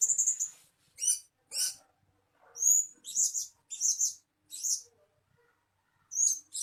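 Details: Blue-crowned hanging parrot calls used as a lure: piercing high squeaky notes, some slightly buzzy, given singly about every half second to second, on an otherwise quiet background.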